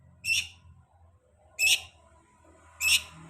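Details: Long-tailed shrike lure sound for birds after moulting: three loud, harsh, rasping notes spaced more than a second apart over a quiet low hum.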